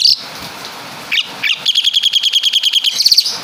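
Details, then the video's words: Asian pied starling of Javan stock copying caladi and kapas tembak sounds: a few scratchy notes, then a fast regular trill of about a dozen sharp pulses and a bright final flourish. "Burung Jalak Suren Full Suara Kapas TembaK"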